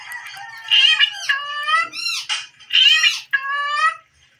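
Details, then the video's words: Pet Indian ringneck parakeet dancing and chattering indoors: harsh, nasal speech-like phrases in two loud bursts with brief gaps, strongly layered and rasping, ending in quiet. "Indian Ringneck parrot bird danceing and talking"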